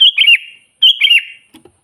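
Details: Sooty-headed bulbul singing vigorously as a lure for wild bulbuls: two quick liquid, bubbling phrases back to back, followed by a faint low knock.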